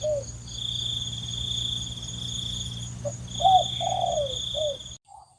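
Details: Spotted dove giving soft, low, hollow coos in short bursts over a steady high cricket chorus, in the morning at a rice-field edge with sugarcane and trees, with a captive decoy dove calling while wild doves answer.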